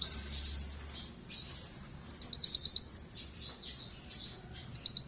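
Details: Continuous calling from a young yellow mantenan: a quick string of piercing, high chirps repeated in a tight run, then a pause of soft twitters before another high burst begins.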